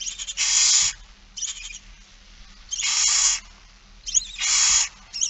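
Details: Repeated hissing screeches, each about half a second, from barn owl young begging at a feeding, Friesland, Netherlands, 8 September 2019, with shorter fainter calls between.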